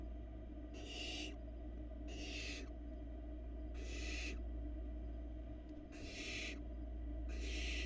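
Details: Female barn owl feeding her downy nestlings at a Florida cam; the chicks answer with five coarse, breathy screech-hisses at slightly uneven intervals, a single sharp tick in between, hum behind.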